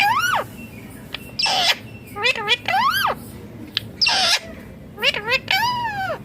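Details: Indian ringneck green parrot said to be talking: repeated arched, nasal whistled calls mixed with harsh broad squawks, about one every second, over a constant low hum.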